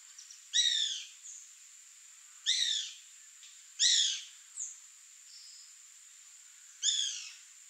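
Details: Bananaquit (Coereba flaveola) with brief, sharp notes sweeping downward at a high pitch. They come at uneven gaps of one to three seconds, and a faint, thin chip sounds between them.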